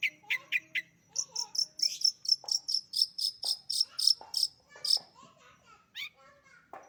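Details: Singing pet long-tailed shrike, very active: quick chirps, then a rapid rattling series of high piercing notes, followed by scattered whistles and slurred lower notes.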